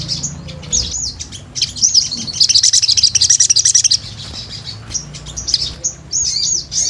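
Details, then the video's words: Sunbird (sogon) calling vigorously, gacor style, as a pancingan lure: high thin wavy notes, then a fast rattling run of sharp high chips for about two seconds, easing back into wavy whistles. "Pancingan SOGON GACOR"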